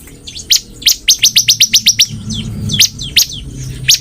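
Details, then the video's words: Bar-winged prinia in energetic song: sharp, high chipping notes, a quick run of about eight between one and two seconds, then spaced single notes, over a low hum. "burung ciblek gacor"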